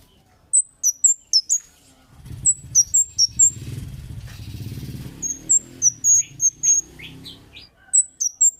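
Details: Kemade bird 'cit' lure call for provoking other birds to respond: rapid shrill high chirps in clusters, interrupted by a passing motor vehicle's low rumble, then resuming with further sharp notes and a few lower chirps.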